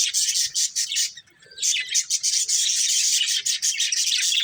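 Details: Breeding pair of budgerigars giving a near-continuous stream of shrill, rapid chirps and buzzy chatter, broken by one short lull around the middle.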